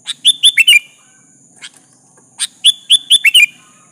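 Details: Lure song of the sooty-headed bulbul, meant to draw a rival's reply: a run of four quick, rising-then-falling chirps, a lone soft note, then a second rapid phrase of six bright chirps.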